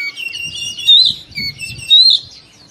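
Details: Morning song of a captive Oriental magpie-robin: loud slurred whistles and rapid twittering notes repeated in bursts roughly every second, over a soft low rumble in the background.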